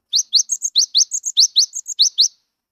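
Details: Untamed but vocal Cinereous tit of the wingko type, whose song serves to set mute tits singing: brisk sequence of sharp upward whistles paired with higher, softer chips, about two seconds long, clean with no background noise.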